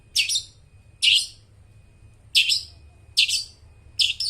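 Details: Long-tailed shrike calling to lure and train mute shrikes: five loud, harsh, downward-swept chirps at uneven intervals of roughly one second, with a faint thin tone between them.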